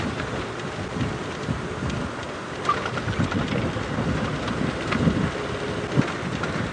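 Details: Steady rain with rumbles of thunder and wind during an April evening safari drive, no animal voices heard.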